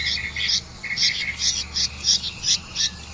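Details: Red-vented bulbul bringing caught crickets to its young: paired bright chirps, each with a higher and a lower part, repeated about twice a second over a faint low hum.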